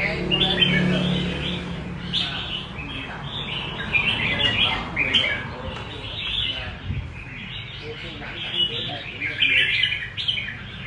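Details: Extended 'rê cầu' style singing by a red-whiskered bulbul: repeated bright, chattering warbles, about three or four phrases a second in places, over steady low-frequency background noise.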